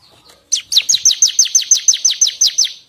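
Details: Bar-winged prinia singing, sound used as a lure and for songbird tutoring: a steady run of about twelve loud, bright, downslurred high chirps at an even, quick pace.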